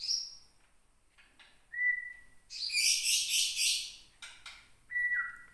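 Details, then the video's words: White-rumped shama of Gunung Leuser origin, a caged prospective breeding bird in Aceh, singing its aggressive song when teased. A high whistle opens, then a level whistle and a loud rasping burst, ending with a falling whistled note. "MURAI BATU GUNUNG LEUSER"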